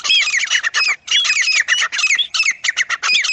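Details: Francolin in jungle habitat, recorded in the wild, delivering a loud, continuous torrent of harsh squawking notes with descending slurred elements, broken only by one brief pause.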